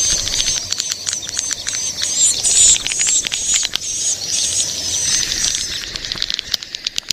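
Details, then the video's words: Young swiftlets in a dense chorus of shrill, overlapping chirps mixed with fast, dry clicking, fading into scattered ticks toward the end. "Suara walet ngeri sedap, Walet Remaja"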